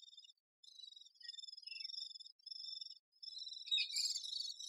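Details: Great spotted woodpecker busy with its young: high, thin, buzzy chattering in runs of about a second, ending in a louder, harsher rasping burst.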